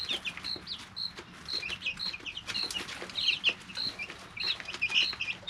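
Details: Clear, evenly pitched high whistles and downward-sliding peeps from three-week-old chicks in a brooder, repeated about every half second, with soft background clicks.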